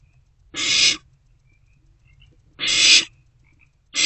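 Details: Harsh, noisy owlet screeches from a nest box on a March night in 2024 as it swallows delivered prey, three rasping bursts about two seconds apart, with tiny faint chirps between.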